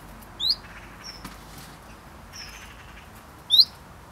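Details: Common chiffchaff nesting in a garden in the UK during breeding, giving its short, quick alarm call: two clear, loud, rising whistled notes about three seconds apart, over a quiet background with faint other notes.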